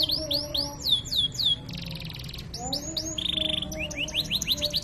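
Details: Canary singing a gacor song in luxurious cengkok mewah style, a masteran tutor recording meant to rouse other canaries: rapid falling whistled sweeps, a buzzy rattle, a flat trill, then rising notes, over lower steady tones.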